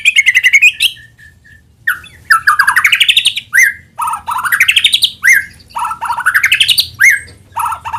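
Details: White-rumped shama lure song to draw other shamas into vigorous singing: clear whistle, then rising buzzy trills climbing steeply in pitch, each capped by a sharp falling note, repeated several times in quick succession; faint low hum beneath.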